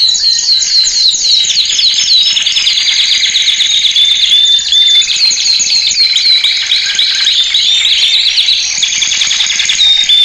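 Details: Male canary training song, played loud for caged birds to learn: a continuous, high, rapid warble of repeated trilled tours and sweeping whistled notes, changing phrase every second or two without pause, with a faint buzzy undertone.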